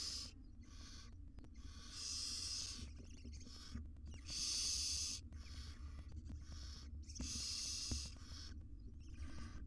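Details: Barn owl mother grooming her tiny wild chicks inside a research nest box; long rasping hisses alternate with softer, shorter hisses at irregular intervals, with faint clicks and a low background hum.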